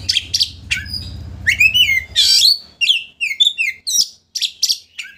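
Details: Oriental magpie-robin in full vigorous song, a lure meant to rouse a rival's anger so it opens its tail: rapid varied phrases of sharp whistles, down-slurred and rising notes and harsh chattering bursts, nearly continuous, with faint low hum at first.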